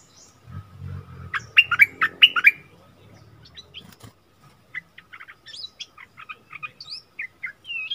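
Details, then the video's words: Bulbul in a song duel with a wild bird, recorded 27 March 2021: a strong phrase of about five full chirped notes, followed by softer, thinner twittering notes scattered through the rest. "เสียงต่อนกดอกแตงEp.39 เปิดดอกดวลเดือดกับนกป่า Burung merbah lekir /bay hoach thom"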